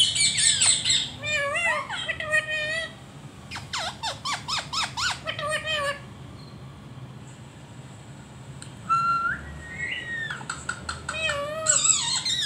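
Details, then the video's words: Pet ringneck (rose-ringed) parakeet reacting to a video of itself with laugh-like sounds: bursts of harsh squawks and quick, stuttering laugh-like notes, then a few sliding whistles, with soft room noise behind. "Parrot funny reaction on his video 😂# parrot laugh"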